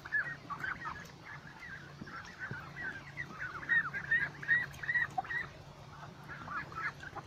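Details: Ducks in a flock by a lake, many birds calling at once in a busy stream of short clipped notes that swell louder around the middle, over a constant low background drone.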